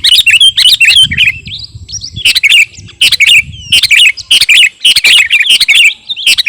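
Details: Sooty-headed bulbul, garuda kutilang form, delivering lively training song for captive birds: clusters of sharp chirps and short warbled whistles in quick bursts separated by brief pauses, loud and punchy.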